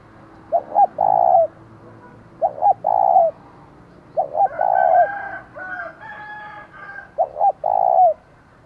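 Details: Decoy spotted dove in the 'thổ' voice style, calling to rouse wild rivals: four phrases of two quick hoots and a sustained coo, about every two seconds, with another bird's whistled notes in between.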